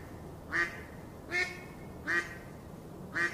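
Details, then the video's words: Pond duckling giving four loud, harsh quacks in just over three seconds, spaced fairly evenly, over faint background noise. "Duck Sound duckling in the pond -duck quack"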